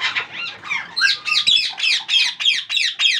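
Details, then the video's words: Hungry rose-ringed parakeet (ringneck) chicks begging during feeding, giving harsh, raspy squawks about three or four per second in a steady insistent run. "If your Parrots Babies chick hungry so enjoy feeding"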